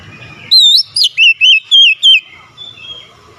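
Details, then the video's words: Oriental magpie-robin song played to stir up a lazy, silent magpie-robin: a run of loud, clear whistled phrases sliding between high and mid pitch, six notes in quick succession, with faint low background rumble. "Kacer gacor cocok untuk nambah emosi Kacer malas bunyi"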